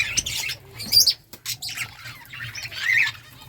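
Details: Budgerigar chirps come in sparse clusters, scratchy high squeaks and a few clear whistled pips separated by short near-silent gaps.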